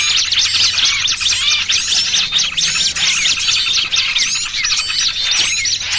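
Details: Bird-trapping lure of small birds, noisy trucukan combined with burcil kejepit: shrill high twitters and squeaky looping notes crowd together nonstop, a thick agitated chorus with brief dips in loudness.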